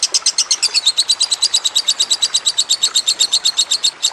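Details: Masteran recording of a lovebird with trickling water behind: fast, piercing chirped notes that waver slightly in pitch at first, then settle into a steady run of about seven per second.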